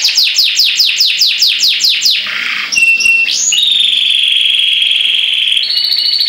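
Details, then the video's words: Canary singing in a cage: a series of fast repeated descending whistled notes, about seven in a row, then a brief buzzy section and a long sustained high trill that steps up in pitch near the end. "CANARY Bird Singing In The Cage"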